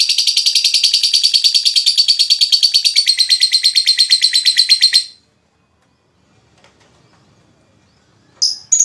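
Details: Lovebird ngekek, a long chattering song played as therapy to prompt other lovebirds: rapid high pulsed rattle for five seconds, then quiet, then a brief squeak.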